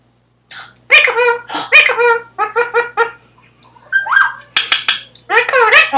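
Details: A pet male rose-ringed parakeet about 10 years old chatters indoors with his owner in quick bursts of clipped, speech-like syllables with a harsh, buzzy edge, while she says hello to him.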